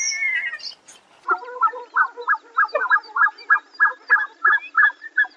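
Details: Black-necked Swan calling: a brief higher note opens, then soft, nasal, mid-pitched notes repeated about three times a second in a steady run, with a faint lower undertone.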